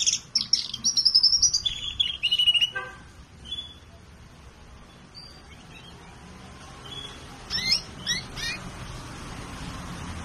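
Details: Colour canary in a collection, singing high, rapid twittering trills and whistles at the start, then fading into a steady background hiss with a few brief chip series later.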